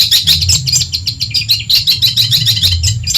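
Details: Madura long-tailed shrike song meant to rile rival birds and used as a tutor: a nonstop rapid stream of sharp, buzzy chirps and twittering notes, evenly packed, with a constant low rumble underneath.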